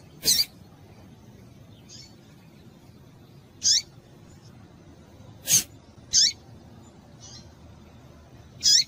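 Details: Female coleiro (rusty-collared seedeater) calling to stimulate males: sharp, high squeaky chips at irregular intervals of roughly one to two seconds. Faint softer notes and a constant low hiss sit underneath.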